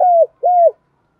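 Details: Female spotted dove decoy calling to provoke males: two smooth, low, level coos, each dropping at the end, about half a second apart, then silence.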